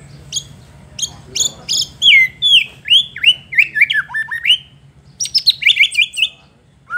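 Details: Sharp high chips followed by long, loud sweeping whistles and rapid slurred phrases, sung by a White-rumped shama to provoke rival shamas.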